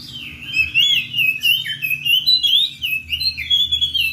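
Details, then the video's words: Singing Oriental magpie-robin, ngeplong style, calling a rival: a continuous, varied stream of loud, sweet whistled notes that swoop up and down, with scratchy high flourishes woven in and a soft low hum in the background. "kacer ngeplong memanggil lawan"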